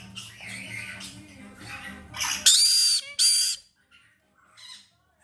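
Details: A young female white-bellied caique (Pionites leucogaster) being hand-fed, with a hearty appetite, gives two loud, harsh, rasping squawks in quick succession, then softer chatter, after a low background hum.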